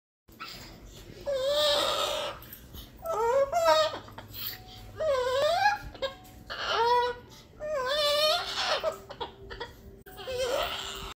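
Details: A pet cockatoo flipping upside down mimics a crying baby with wailing, wavering sobs that rise and fall, about six bursts in eleven seconds, over a faint indoor hum.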